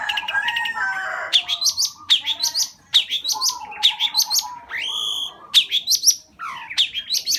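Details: Long-tailed shrike in full, lively song: a varied run of whistled harmonic notes, falling slurs, and brief sharp chirps, given in quick phrases about every second, with a short steady tonal note partway through.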